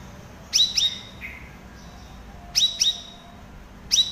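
Straw-headed Bulbul giving loud, rich whistled phrases in pairs of quick notes, repeated every couple of seconds, against a faint background hum.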